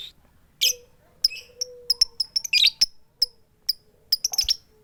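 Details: A female lovebird calls the male with "tik tik keyok" notes and no chatter. One rasping squawk is followed by a scatter of crisp, high, clicking ticks and a few grating bursts.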